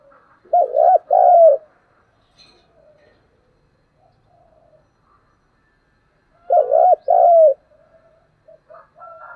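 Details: Spotted dove coos in its fighting call: two loud phrases of paired, rounded hooting notes about six seconds apart, with faint soft coos between and after them.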